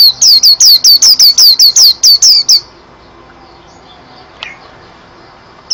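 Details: Pleci, or white-eye, gives a rapid burst of about twelve bright, high, falling whistles in two and a half seconds, then stops; quiet follows, broken by a faint click and a soft note at the end.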